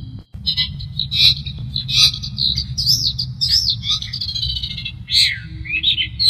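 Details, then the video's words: Long-tailed shrike in full varied song, used as tutor material: high, rapid chirps and looping whistled notes with sharp downslurs, over a constant low rumbling hum. "burung cendet gacor | suara variasi masteran dan pancingan"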